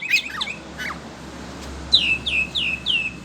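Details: Caged Oriental magpie-robin (kacer), agitated on hearing other birds, gives a few harsh squawky notes, then four clear whistled notes that slide downward, each about half a second apart.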